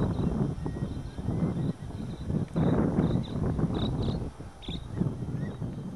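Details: Wild American oystercatchers near Pine Point, Nonesuch river, from a flock of five flying past a kayak and foraging on mudflats among peeps: short high piping notes scattered through, over strong wind and water rumble.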